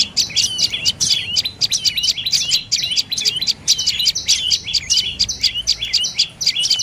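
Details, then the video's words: High, rapid chirrups from a dark-necked tailorbird, a species of evergreen and open forest, bamboo and orchards. Bright twittering notes run almost without pause for nearly seven seconds over a quiet low rumble. "เสียงนกกระจิบคอดำDark necked Tailorbird Sounds"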